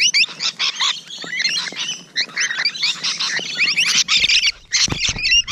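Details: A group of Rainbow Lorikeets at close quarters on a June morning, loud continuous shrieking and squealing chatter, many birds calling at once, with a few brief low thumps.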